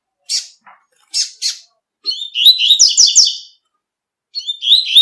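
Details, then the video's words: Double-collared seedeater singing outdoors in nature, used to teach young and adult birds: a few sharp high chirps, then a rapid run of bright, buzzy-edged twittering notes, and another song burst beginning near the end. "COLEIRO TUI TUI CANTANDO NA NATUREZA"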